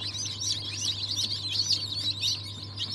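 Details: Cream Legbar, Australorp and Ayam Cemani chicks just hatched on 07.02.2023, giving a loud, continuous mass of high, piercing cheeps with a low machine hum beneath.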